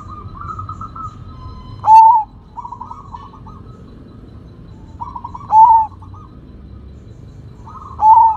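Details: Sumbawa zebra dove in full, loud song: soft bubbling trilled coos, each series ending in a loud, clear, slurred note, repeated three times about every three and a half seconds, with a low constant hum behind.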